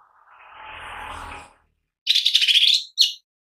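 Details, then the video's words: Lesser green leafbird lure song: after a soft rushing noise, a fast buzzy trill of rapidly repeated notes rises slightly, then a short final chirp. "Pancingan Cucak Ijo Mini Bunyi Gacor"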